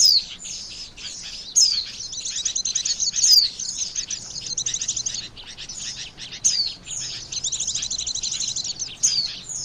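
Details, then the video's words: White-eye lure call for trapping birds: dense, high, twittering chirps run almost without break, broken by sharp descending whistled slides about every one and a half seconds. "SUARA PIKAT BURUNG PLECI"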